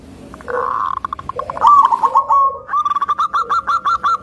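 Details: Local zebra dove with a thick, rhythmic voice, said to provoke other zebra doves, starts with muffled coos, then breaks into a brisk trill of evenly repeated notes.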